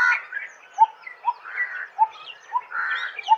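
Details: Coppersmith barbet repeating a low, hollow tuk roughly every half second, steady and metallic, over a background of mid-pitched chattering from other birds.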